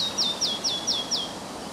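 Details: Red-breasted flycatcher at Järvafältet, Sweden, morning of 30 May 2011 with fairly strong wind: five clear, high whistled notes sliding downward, evenly spaced about a quarter second apart.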